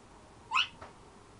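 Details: African grey parrot, a ten-year-old household pet, making one brief bright squawk-like note that drops slightly, followed by a faint second note, in a quiet room.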